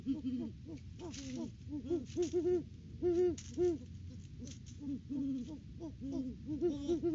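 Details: Great Horned Owls, a wild mated pair, duet at their nest tree during the December off-season; two voices of deep hoots overlap, one slightly higher than the other, in quick stuttered runs and longer notes.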